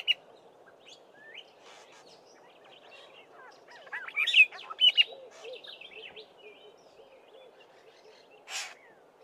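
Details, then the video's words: Black-bellied starling singing with mimicry of Fork-tailed Drongo and other local birds: scattered squeaky whistles and chattery notes, a louder burst of sharp notes midway, over a steady low chorus of background birds. "Black-bellied Starling singing and mimicking"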